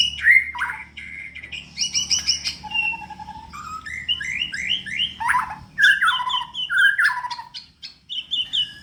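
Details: Caged white-rumped shama in singing form, prepared for a song contest, pouring out a rich varied song of fluty whistles, rapid rising and falling slurs and sharp chirps without pause, over a low steady hum.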